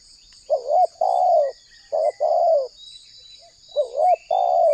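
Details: Spotted dove lure call for trapping: coo phrases repeated about every one and a half seconds, each a short rising note and a long buzzy coo, with faint high chirps of other birds and a steady thin drone.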